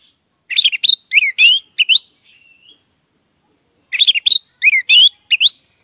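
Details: A captive orange-headed thrush in loud, full song, used as a lure to prompt silent thrushes to sing, gives two rich bursts of rapid, varied whistled phrases, slurred up and down, separated by a pause of about two seconds.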